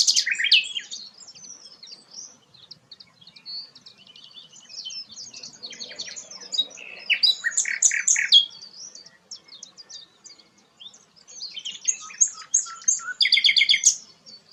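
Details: Rare sikatan londo delivering a long, varied song of high chirps, quick slurred whistles and dense twittering bursts, with short pauses between phrases.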